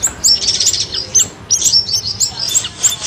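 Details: Streak-eared bulbul sound from a trapping lure recording: clusters of high, sharp chirps and squeaks in bursts, with a short lull in the middle.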